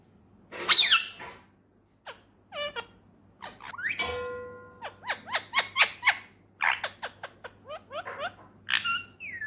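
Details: Male ringneck parakeet kept as a talking pet in Pakistan mixes a harsh squawk, a held whistled tone and a long burst of rapid clipped speech-like syllables with bent pitch.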